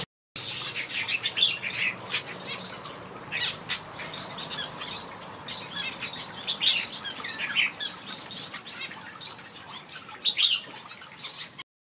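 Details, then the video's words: A group of finches housed in a backyard aviary sings in repeated bursts of sharp high chirps and twitters, with wing flutters heard between phrases. "Watch these finches sing a beautiful melody in my backyard"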